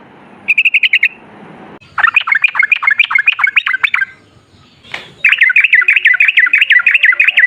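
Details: Sooty-headed bulbul singing lively, long-phrased song for luring bulbuls into song: a short bubbly trill, then two long runs of rapid, warbling, up-and-down chattering notes, separated by a brief pause with one sharp note.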